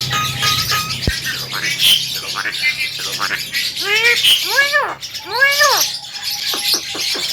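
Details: Javan myna singing vigorously, a recording meant as a training master for other birds: a mix of arched, harmonic squawks and rising chirps, with dense high chirping from other birds throughout and a sharp click near the start.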